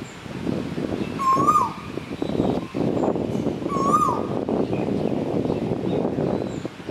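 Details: A male Asian koel on Koh Samui, Thailand, gives two loud, rising whistled calls about three seconds apart over a steady rumble of background noise.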